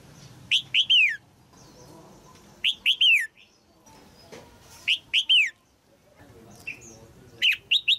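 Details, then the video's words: Red-whiskered bulbul female, caged, sings to arouse a mature male: a short phrase of three bright, descending whistles, repeated roughly every two seconds over faint background hiss. "นกหัวจุก birds นกตัวเมียขับขานอย่างไพเราะในกรงเพื่อกระตุ้นนกตัวผู้ที่โตเต็มที่"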